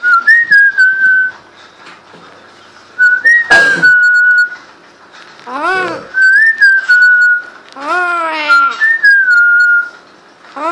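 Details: First whistles from a pet parrot kept indoors: a series of pure whistled phrases, each rising briefly then sliding down to a level held tone, with a person's "wow" exclamations and clicks between.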